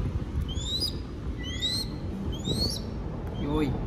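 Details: Baby crested goshawk kept by falconry trainers in Cambodia, calling while being fed. Four high, thin rising whistles come at irregular gaps, and faint human voices murmur underneath.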